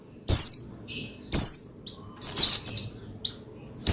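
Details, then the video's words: Pleci, the Oriental white-eye, song for stirring another pleci into song; sharp high downslurred notes repeated about once a second, with a denser twittering burst in the middle. "Menaikan Emosi Burung Pleci Bahan Agar Pleci Gacor Cepat Bunyi Rajin Gacor"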